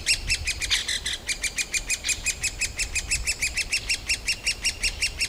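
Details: Shrill food-begging chorus of great spotted woodpecker young in a nest cavity a day or two before fledging, forest park in Yekaterinburg, June 2018, recorded on a Canon PowerShot SX60 HS; quick, evenly repeated screeches, about three per second.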